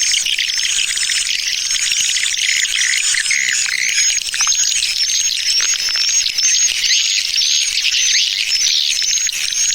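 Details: A swiftlet lure call, the 'Tarik Permata' style, meant to attract the birds: a dense chorus of shrill chirps and squeaky twitters over thin, wavering whistles.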